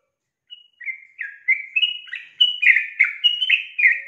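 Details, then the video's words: Lure call of a female yellow-vented bulbul meant to set a male singing: a quickening series of around twelve cheerful, slurred chirps, growing louder and more jumbled toward the end. "PANCINGAN TRUCUK BETINA MEMANCING JANTAN AGAR IKUTAN GACOR"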